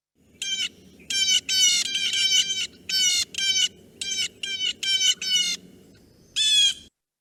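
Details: Blue Jay giving its harsh call that sounds like it is saying its own name: about a dozen raspy 'jay' calls in quick repeated clusters, then a final call after a pause, over a faint low hum.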